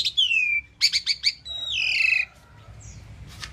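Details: Song of an Asian pied starling mixing a bright descending whistle, a quick burst of four scratchy chirps and a long, gently falling whistled phrase, ending in a faint sharp note.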